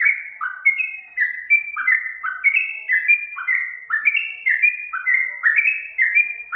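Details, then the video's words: Sooty-headed bulbul, locally trucukan, in a master recording used to get caged birds to sing back. Continuous liquid whistling moves in short downslurred notes, alternating between a higher and a lower tone at a brisk pace. "masteran untuk burung trucukan di jamin langsung nyaut"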